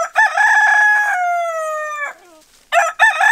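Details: Rooster crowing as a wake-up call: a loud harsh crow with a wavering start, then a long steady tone that slowly falls before cutting off, followed after a pause by the start of another crow.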